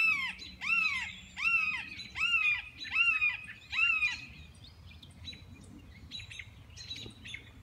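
A red-shouldered hawk gives six loud, harsh, down-slurred 'kee-yer' screams, one about every three-quarters of a second, then the series fades into softer, fainter notes.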